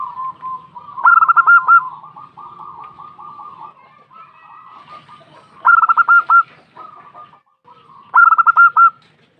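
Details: Female local zebra dove used as a lure call to draw answers. A soft, rolling coo runs underneath. Three loud bursts of quick staccato notes break in, each about a second long and spaced several seconds apart.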